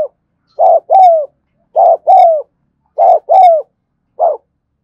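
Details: Afternoon recording of a spotted dove's 'thúc gù' cooing: three double-note phrases of a short burst followed by a drawn-out falling coo, roughly one per second, ending on a lone short note; no other sounds.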